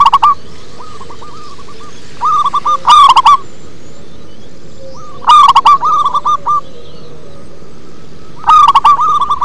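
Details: Local zebra dove singing in a deep, bass-toned style: three phrases about three seconds apart, each opening with a loud, rich, buzzy coo and followed by a run of short hooked cooing notes at one steady pitch over a soft, steady background hiss.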